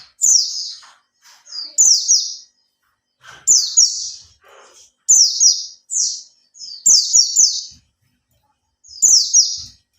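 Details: Captive pleci (Oriental white-eye), three months in care, beginning 'buka ekor' song, sings as a lure for other birds: short bright twittered phrases with pauses, some soft rustling and tapping below.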